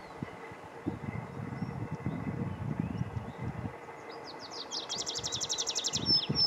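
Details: Tree pipit at Yarner Woods, Dartmoor, on 4 June 2020: song bursts in halfway through, fast high repeated notes running into a quickening trill, over a steady low rumble of wind or distant traffic.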